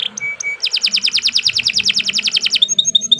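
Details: Canary song for training other birds: a brief whistled note, then a fast run of about twenty sharp descending chirps in quick succession, ending in a few high clipped notes.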